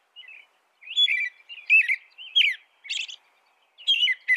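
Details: American robin song with a run of liquid whistled phrases, some gliding upward and downward. One high, buzzy squeal stands out partway through. The background is silent.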